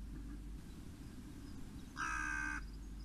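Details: Crow on a July morning giving a single harsh, drawn-out caw lasting about half a second, heard over a steady low rumble.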